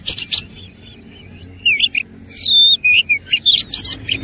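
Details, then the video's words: Oriental magpie-robin, fighting, with rich song content: a few harsh bursts, then a steady whistled note followed by quick varied chirps and slurred whistles. "KACER ISIAN MEWAH NGOTOT GACOR TARUNG"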